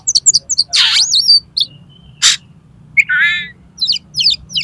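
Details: Loud Oriental magpie-robin song for tutoring and luring contest birds: quick high chips, a harsh broadband rasp, long thin whistles, a wavering harmonic warble, then more rapid chips.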